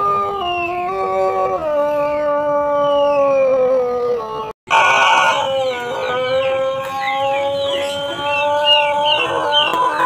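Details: Pelung chicken crowing in a long, steady, tonal call that drops slightly in pitch partway through and is sustained for over four seconds. After a brief break a second long crow follows, with faint chirps and background noise around it.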